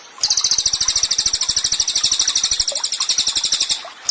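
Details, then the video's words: Cililin in energetic song used to tutor songbirds: after a moment of quiet, a continuous high, rapid trill of crisp, evenly spaced notes runs for about three and a half seconds. "CILILIN GACOR, MASTERAN HANDAL UNTUK BURUNG KICAU."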